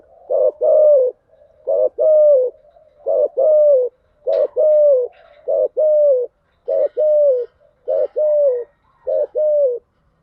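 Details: Rapid series of spotted dove lure coos in the thúc gù and gáy gọi styles: about eight low phrases, roughly one per second, each a short note followed by a bent descending coo, steady and rhythmic.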